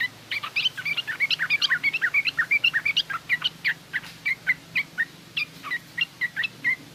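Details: Garuda-type yellow-vented bulbul delivering rough ngriwik chatter for teaching young birds to sing: a steady, unbroken stream of sharp, bright chirps at about three per second, slowing slightly toward the end.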